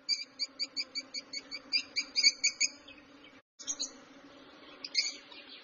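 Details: Lovebird giving a fast series of bright, ringing chirps, about five per second, then a brief pause and a few more sharp notes, over a steady low hum.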